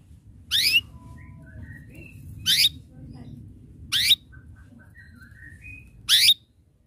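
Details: Chirps from an energetic singing canary, used to call rivals into song: four loud, quick rising notes spaced about one and a half to two seconds apart, with soft thin whistles between, over low room hum.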